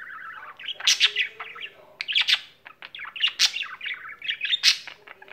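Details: Pet budgerigar singing without stopping: a low whistled start, then phrases of quick chirps and squeaks separated by short quiet gaps near 2 and 2.7 seconds, bright accents recurring.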